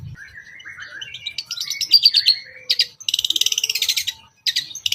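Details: Long-tailed shrike lure song, "toet toet" joined with rich filler phrases, meant to draw out other shrikes. A varied rapid warble of slurred whistles and trills runs into a fast string of scratchy high notes.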